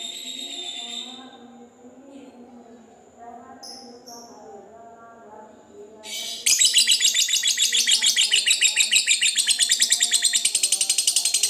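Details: Fighter lovebird giving its long 'ngekek' trill, used to provoke rivals and to prompt reluctant birds to answer. Faint chirps come first, then a loud, rapid, harsh chattering trill runs nonstop for five seconds over a low steady hum.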